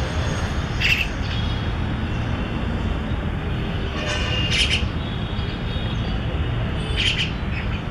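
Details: An injured Indian myna on a home lawn, unable to fly because of a badly hurt leg, calls for help with three harsh, scratchy squawks a couple of seconds apart over a loud, steady low rumble.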